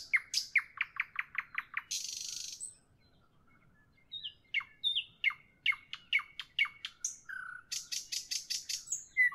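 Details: Nightingale singing in the evening: a fast series of loud repeated chirps, then a dense buzzy rattle, a brief pause, and more rapid repeated whistled notes ending in another rattle-like trill.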